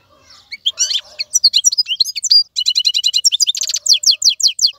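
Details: Wild-caught goldfinch in a cage sings varied liquid twitters, a steady buzzy rattling trill, and quick descending notes in an unbroken flow.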